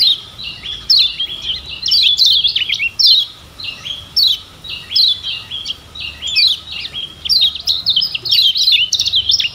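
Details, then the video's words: Sustained high twittering from a lemon-bellied white-eye of Lombok, a tutor recording to get birds singing fast: clustered phrases of quick slurred chirps recur every second or so across the stretch. "Ciak Joss Kecial Kuning Ini Ampuh Jadi Masteran Bikin Cepat GACOR‼️"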